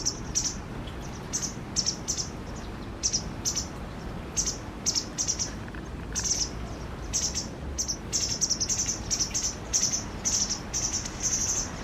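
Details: White wagtail family, a pair raising five chicks in the period after fledging until independence; very high, thin chirps in quick bursts, some short and single, others run into rapid strings, with faint low background rumble.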